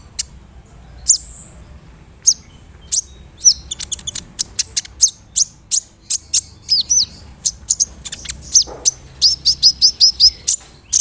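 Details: Energetic brown-throated sunbird song used to lure and excite other sunbirds: a long sequence of piercing high ticks and clipped chirps, speeding into a steady series of paired notes toward the end.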